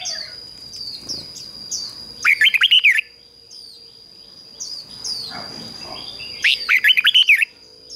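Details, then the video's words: Red-whiskered bulbul decoy singing to draw in wild birds and prompt them to sing. Two bright, fast, bubbling phrases come several seconds apart, with fainter sliding chirps and a constant high-pitched tone behind. "Chào Mào Mồi Hót Gọi Chim Rừng Kích Chim Hót Hay"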